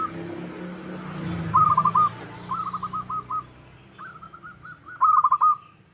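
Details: Local zebra dove giving a lure call meant to make other doves sing and answer: three stuttering phrases of rapid, purring notes at mid pitch, each about half a second long, the middle one quieter, over faint low background rumble.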